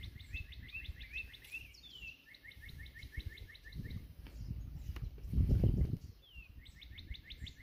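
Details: Northern Cardinals singing in competition on a cool April 19 morning bird hike, one bird across the way. Fast series of short repeated chirps alternate with slurred whistles. Low rumbling noise and a loud thump sit beneath.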